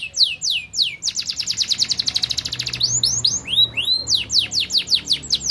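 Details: Canary song of rapid repeated units: high downward-swept whistles in rhythmic series, a fast even trill near the middle, then looping rising-falling notes, all bright and high-pitched.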